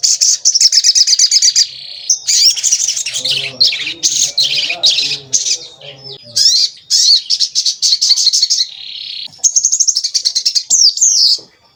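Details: Javan kingfisher recorded as a lure to provoke other birds into calling: long runs of fast, harsh, high-pitched rattling notes repeated in bursts, with a low humming sound briefly under the middle part.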